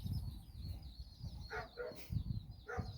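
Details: Hen walking her nine chicks through Bizkaia, Basque Country. Three distinct low clucks from the hen over faint, high, wavering chick peeps and heavy low-pitched background rumble.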